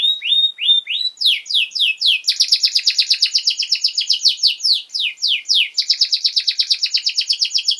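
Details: Canary singing as a tutor for young birds: a few upslurred whistles, descending sweeps, then long fast trills of repeated high notes alternating with slower sweeping phrases.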